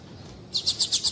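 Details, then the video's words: High, thin repeated chips from a female double-collared seedeater calling to excite the male, five evenly spaced notes at about eight per second after a moment of quiet. "Piado de fêmea de Coleiro Chamando Quente para Esquentar Coleiro tui tui"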